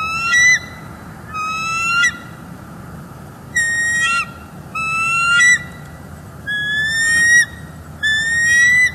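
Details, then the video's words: A pair of bald eagles on alert at their nest in northeast Florida, recorded on 18 December 2021 by a live nest cam before flying out to protect the eggs. Bursts of high, piercing chittering repeat about every one and a half seconds over broadband background noise. "Bald eagles; alert off nest, Gabby and Samson protect."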